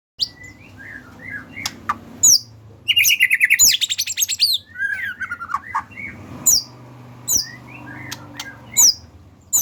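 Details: Medan-type white-rumped shama in bowing display style, its song used as a training lure for other birds; loud clear whistles and sharp chips, then a fast rattling trill in the middle, with a faint low hum.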